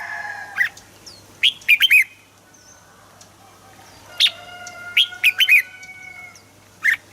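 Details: Red-whiskered bulbul singing, a recording intended to rouse other bulbuls: short clusters of two to four clear, bouncing whistled notes separated by pauses of a second or more, with faint steady tones from other birds behind.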